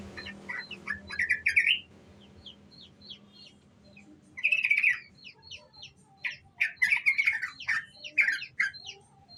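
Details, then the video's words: Lure song of a young sooty-headed bulbul in ngriwik style: clusters of bright, rising chirps and rapid twitters, a pause near two to four seconds, then more energetic chattering bursts. "Pancingan Trucuk muda Ngriwik"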